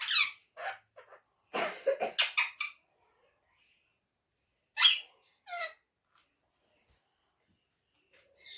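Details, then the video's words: Talking ring-necked parrot kept as a pet, speaking Urdu and Hindi in a small room: a quick chatter of harsh syllables opens, a dense babbling burst follows, then a pause and two short, loud squawky utterances. "amazing talking parrot talking Mithu bayty Urdu and Hindi"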